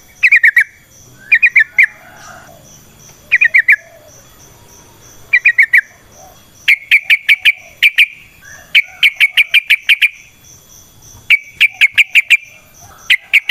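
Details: Yellow-vented bulbul singing in the wild, a natural recording used to lure other bulbuls into singing: short bursts of sharp ticking notes, each burst of three to eight clicks, separated by pauses of about a second.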